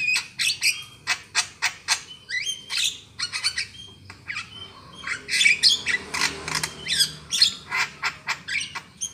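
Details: Black-winged myna lure call used for trapping birds: a rapid series of harsh, squawky broadband notes mixed with short whistled upslurs, repeated in quick bursts with brief pauses.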